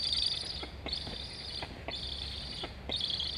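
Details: At an Estonian Black stork nest on 26 August 2021, a chick asks to eat as its sibling flies along the nest, both calling. Three or four drawn-out, hissing high chirps, separated by brief gaps and faint clicks.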